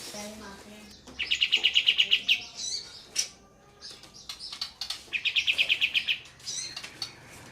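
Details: A group of olive-winged bulbuls sing high, rapid rolling trills of about nine sharp notes, given twice, mixed with scattered chirps from the others, over a background of trickling water.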